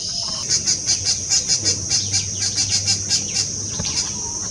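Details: A grey treepie feeding its babies: a fast run of thin, high, squeaky notes, about four each second, over a faint low hum.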